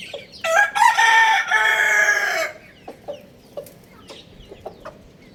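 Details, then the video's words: A rooster gives one loud, ringing crow lasting about two seconds, a rich harmonic call with a short rising start, a held middle and an abrupt stop. Soft chirps of small birds continue afterward. "Amazing Rooster Crowing Sound Effect"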